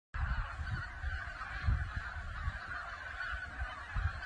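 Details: A large flock of wild geese in winter at Cheonsu Bay, a migratory bird haven, keeps up a dense, overlapping chorus of honking calls, with low wind rumble beneath.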